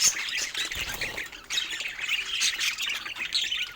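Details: Budgies kept as pets squawk and warble while playing with toys, a dense high chatter that dips briefly, then resumes fuller.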